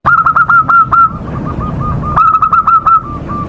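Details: Local Indonesian zebra dove in full lure song, used to trigger other doves to sing: crisp, clear repeated notes in quick runs, a bright phrase then softer trailing notes, with a low hum beneath.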